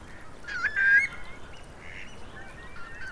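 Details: Eurasian curlews, about 3000 sheltering in wet meadows of Marquenterre, Bay of Somme, at high tide on 7 October: short, hoarse, rising whistled calls, loudest near the start, then softer answering notes over steady background hiss.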